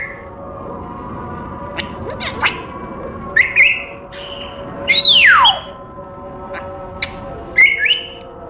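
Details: Pet African grey parrot in a cage, scattered clicks and short whistled notes, then one loud whistle sliding steeply downward, and a final brief chirp, with a faint steady hum behind.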